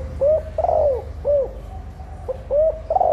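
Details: Female spotted dove calling in a set pattern to stimulate nesting, meant to make hens lay soon and rouse males; soft low coos, short arched notes then a longer falling coo, repeated in two phrases with brief pauses.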